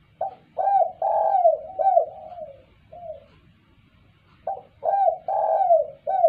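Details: Spotted dove calling clearly as a lure for other birds: a full phrase of short and long coos ending in a soft trailing note, a pause, then the phrase starting again.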